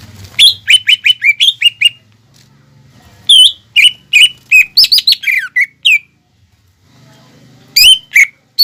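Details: Energetic greater green leafbird song meant to stimulate young birds to sing. Several bursts of quick, ringing whistles mix with sweeping, squeaky slurred notes, separated by brief pauses with a faint low hum.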